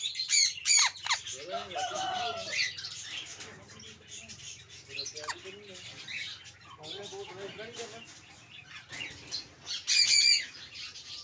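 A sun conure gives loud, harsh screeching squawks in short bursts, with softer chatter between.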